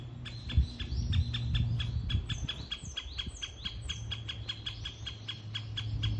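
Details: Ezo great spotted woodpecker in Hokkaido giving repeated sharp, dry ticking notes at an even pace, while another bird adds thin, arched whistles above; a deep low hum runs underneath throughout.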